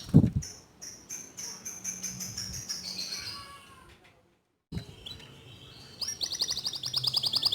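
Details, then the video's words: Local white canary singing: a series of high notes slides downward, then a short silence, then a fast high rolling trill. There is some low background rumble. "Kicau Kenari Lokal Warna Putih Suaranya Mantul"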